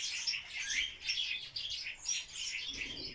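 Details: Barred warbler dancing for a mate, harsh, scratchy chatter in quick pulses roughly twice a second, with a faint low rumble at the close.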